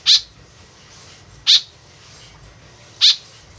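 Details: Three strong, rasping notes roughly one and a half seconds apart from an actively calling white-breasted woodswallow, a sound used as a lure, with faint steady hiss behind.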